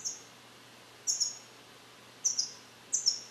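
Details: Captive-bred European goldfinch from 2021, trained on Neapolitan passages and isolated in a carrier; three brief, very high double chirps separated by quiet gaps.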